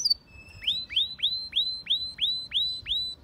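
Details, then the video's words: White canary singing for training: a high thin note, then a steady series of eight bright upward-sweeping whistles, about three each second, over a faint low background hum. "Canary bird singing for training _ the best chirping of white canary bird"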